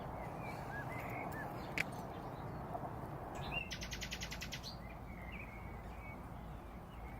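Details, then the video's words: Nightingale singing around Braziers Meadow, Orwell Country Park: a few faint chirps, a sharp click, then a fast rattling series of about ten identical notes, fading back to soft twitters amid steady low noise. "Nightingales singing around Braziers Meadow, Orwell Country Park."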